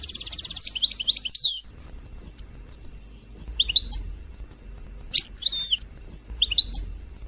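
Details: European goldfinch singing to excite other birds into song: a dense high trill sliding into twittering notes and a downward slur, followed by scattered short chirps every second or so.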